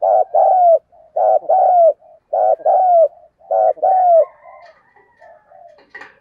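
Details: Spotted dove giving a fight-provoking coo: four paired low hooting phrases, each a short burst then a longer falling note, repeated roughly every second, ending in softer trailing coos with a brief high squeak.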